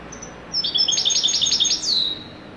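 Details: European goldfinch singing a wedani-style phrase: quick, high, tinkling notes rising into a dense twitter, closing with a short slurred downward buzz.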